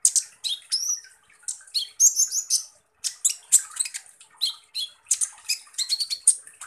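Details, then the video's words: A continuous, energetic 'tembakan kasar' song from kolibri ninja, Van Hasselt's sunbird: high shrill chips, harsh squawky bursts and quick slurred notes, with one brief pause partway through. "SUARA BURUNG Kolibri Ninja Full Tembakan Kasar"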